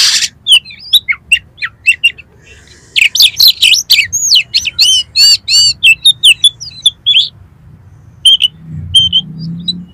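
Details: Oriental magpie-robin singing for competition training: rapid sequences of clicks, buzzy rattles and looping whistles, then spaced repeated chirps toward the end.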